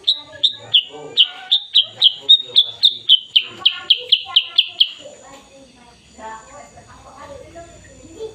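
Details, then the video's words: Sooty-headed bulbul, a black and yellow bird, singing in the morning on 16 September 2021: a quick run of about fourteen sharp, high, slightly falling chirps at roughly three per second, then quieter low murmurs. "Kicauan Burung Kutilang Sutra"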